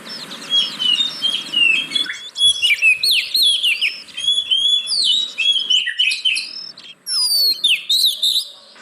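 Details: Oriental magpie-robin song used as a lure to coax reluctant caged birds into singing: a rich, fast run of sweet whistles, sharp downslurs and buzzy trills in varied phrases, with brief gaps and a high chirp series near the end.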